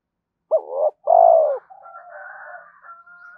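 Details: Spotted dove coo used to rouse other doves: an abrupt rising note, a brief phrase and a long falling coo, followed by faint layered cooing and a thin steady tone.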